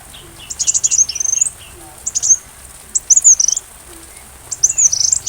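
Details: Sunbird song used as tutor material for training a white-rumped shama. Short bursts of very high, thin twittering notes come in three separated phrases, with quiet gaps between them.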